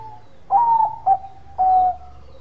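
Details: Zebra dove of the Bangkok type, a vocal bird cooing to provoke rivals into calling: a drawn-out tonal note, a short clipped note, then a long even note, all mid-pitched and steady, with a faint low hum beneath.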